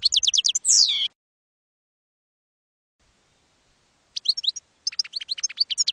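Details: Campero European goldfinch song for schooling young goldfinches: a quick burst of repeated high notes ending in a falling buzzy slur, about three seconds of quiet, then renewed rapid twittering.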